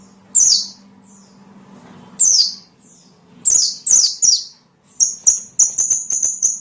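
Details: Lure calls of a small bird for drawing in other small birds: spaced, piercing high notes sliding downward, ending in a quick run of short high pulses; low steady hum in the background.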